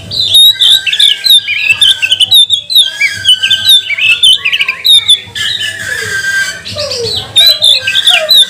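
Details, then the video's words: Magpie-robin singing as a lure to make other birds sing: dense runs of loud whistles and warbled slurs, a few falling lower notes near the end, over a low hum. "Kacer mana yang gak mau gacor, buka ekor, bongkar emosi dengan pancingan kacer ini"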